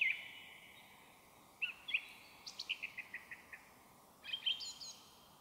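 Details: Song thrush in forest on a May evening in 2023; a series of about eight short staccato notes repeated quickly, bracketed by brighter whistled phrases, against a quiet background.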